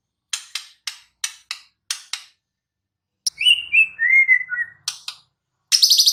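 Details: White-rumped shama in the wild: a run of six crisp clicking ticks, then a long, varied whistled warble sliding downward, followed by more ticks and a bright, buzzy trill at the close.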